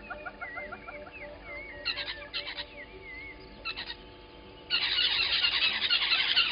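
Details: Little grebes at Gowrie dam, Djuma Game Reserve, Sabi Sand, South Africa, 10/08/20: high, wavering whistled notes repeat rapidly, broken by short chattering bursts; a loud steady hiss like wind or insects takes over in the last two seconds.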